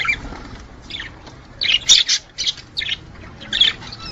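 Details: Budgerigar mating chatter: a few separated clusters of harsh, high squawky notes after a quieter opening.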